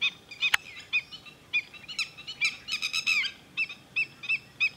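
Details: Shrill red-wattled lapwing calls from Thol bird sanctuary: evenly spaced sharp notes, a faster cluster of strident calls in the middle, then more spaced single notes, with one brief click near the start.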